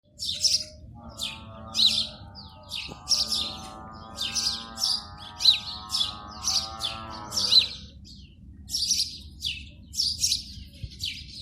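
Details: A sparrow calling in the morning on its nest in India gives about a dozen bright, high chirps, one roughly each second, while a long, low, moo-like drone runs under the first half.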